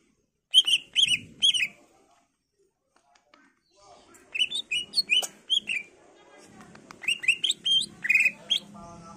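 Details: Varied, persistent greater green leafbird song intended as a lure for other leafbirds to reply: three spaced chirps, a pause, then a busier jumble of mixed notes over faint background noise.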